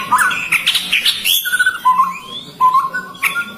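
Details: Chestnut-rumped babbler calls: a burst of high, scratchy chattering notes, then a series of clear, steady whistles, some rising slightly, with a sharp high note near the end.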